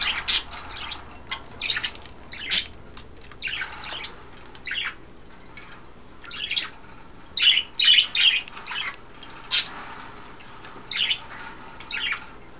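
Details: Pet budgerigars, five kept together in a cage, three females bathing in vegetables and a water dish, recorded 9 February 2012; busy scratchy chirps and squawks in rapid bursts, roughly two or three a second, with faint room hum.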